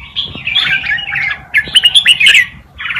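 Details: Brief run of red-whiskered bulbul tutor song in wild Malutin style, meant to teach young birds: a fluid warble, a short pause, then a loud bright flourish and a final note.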